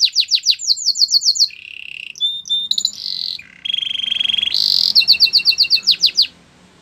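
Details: Training song of a Belgian canary: rapid repeated downslurred notes, then varied buzzy rolls and trills at different pitches, ending in another run of quick slurred whistles.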